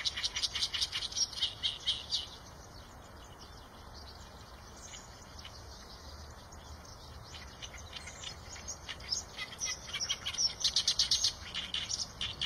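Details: Eurasian tree sparrow chirping rapidly at the start, falling quiet for several seconds, then resuming with a loud cluster of high, clipped chirps near the end.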